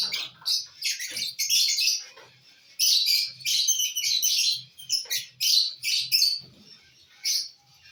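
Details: Busy shrill chattering from lovebirds enjoying corn on the cob, 18 December 2022, rasping high notes packed into long bursts with brief breaks and faint low thumps from feeding.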